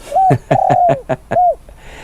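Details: Spotted dove in training as a decoy, cooing steadily near freshly harvested rice fields where a harvester recently worked. Its mellow coos hold a steady pitch and come as several notes, punctuated by sharp knocking sounds.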